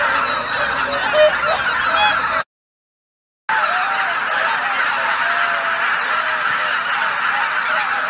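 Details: Geese gathering at dawn on a marsh at Izunuma, Japan, under thick cloud before taking off in several groups after six; a dense chorus of overlapping honks fills the air, broken by a second of silence.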